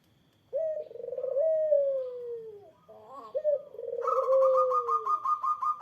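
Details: Eurasian collared dove calling to draw a reply from a rival: a long, rolling, slightly descending coo, followed by a second, higher buzzy, pulsed sound overlapping the dove's voice.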